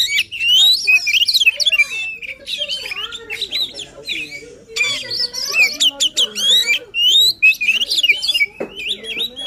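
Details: Oriental magpie-robin pouring out a lively, emotional song intended to spur a silent magpie-robin: continuous loud whistled slurs mixed with harsh chatters and rapid trills, barely pausing.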